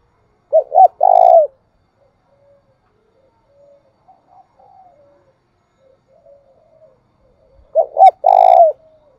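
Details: Spotted dove cooing, thúc bổi and gáy gọi styles: two low phrases roughly seven seconds apart, each quick hoots leading into a long buzzy coo. Faint soft sounds fill the gap between them.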